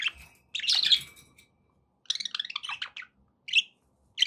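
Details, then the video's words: Pet budgerigars chattering: a scratchy warbled burst, a run of quick buzzy chirps, then single short chirps, with silence between. "budgie sounds"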